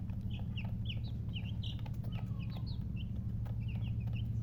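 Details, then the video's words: Freshly hatched chicks chirping loudly, quick high peeps with rising-then-falling shapes repeated several times a second, a low droning hum underneath. "Tot Murgi chicks chirping sounds Just Born Baby Gallina FRACAS Chicks Piar Loudly Sound"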